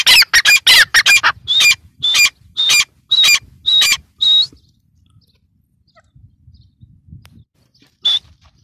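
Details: Partridge, known as teetar, with a run of harsh notes slowing into evenly spaced loud calls about twice a second, then silence and one last call.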